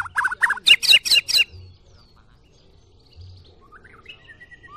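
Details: White-rumped shama, from a comparison of a short-tailed Medan bird and a 'balak 6' bird. It sings a loud burst of about six fast, harsh, stacked notes within a second and a half, then quiet with soft low thumps and a faint thin whistle.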